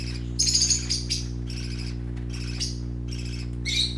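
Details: High, buzzy chirp clusters from colourful young parakeets at play come in uneven bursts, the loudest early on, against a background of steady low hum.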